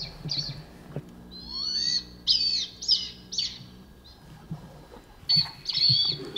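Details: High-pitched squealing calls of a wild blood pheasant in the eastern Himalaya, with single sharp notes, a short rising whistle, then clustered shrill bursts near the end, and a low hum underneath.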